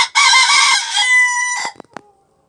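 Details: A Sebright rooster in a kitchen garden gives one high, strained crow lasting about a second and a half, followed by a couple of soft clicks.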